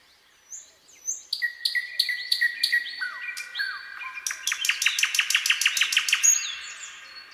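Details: Nightingale in song, starting with soft whistles, then clipped notes over a sustained whistle, a rising slur, and a rapid run of about a dozen sharp repeated notes.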